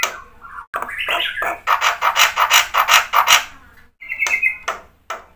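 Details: Black-winged myna singing 'gacor' with full 'isian', for luring silent birds to reply: a falling whistle, then a loud dense burst of scratchy pulsing notes, ending with a bright level whistle over chipping.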